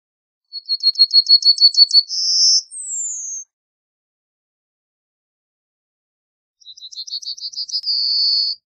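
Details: Yellowhammer singing two phrases, each a fast run of about ten thin, repeated high notes ending in a drawn-out note. The first phrase closes with an extra falling slur. A quiet gap separates the phrases.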